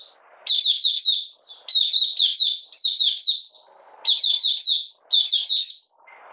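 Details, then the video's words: Malaysian Oriental white-eye, caged and in minor moult, recorded 31 July 2023 delivering 'buka sing' song: quick high-pitched chattering phrases repeated roughly once a second, with brief gaps and faint background noise. "Malaysian Mata Puteh Buka Sing"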